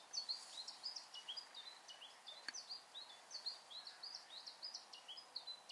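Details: Siberian chiffchaff (Phylloscopus collybita tristis) singing in Bremen, Germany, on 22 October 2022: a quiet, fast run of thin, high, varied notes, a jumbled warble with little pause, over faint background noise.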